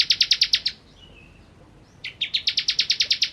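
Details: Bar-winged prinia (ciblek, Prinia familiaris) singing in crisp, buzzy bursts of rapid high notes, about eight in under a second, then a pause with a faint thin whistle before a longer second burst.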